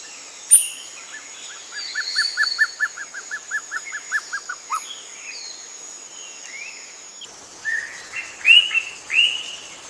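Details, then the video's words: A leafbird, singing while blending into green foliage, gives a fast, even trill of about fifteen clear notes, then several bright, slurred whistles, over a thin, steady high hiss. "Leafbird singing"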